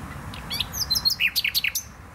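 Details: Botanical garden in Poznań, Poland: a nightingale gives a quick series of bright, slurred whistled notes at varying pitches, closely spaced over two seconds.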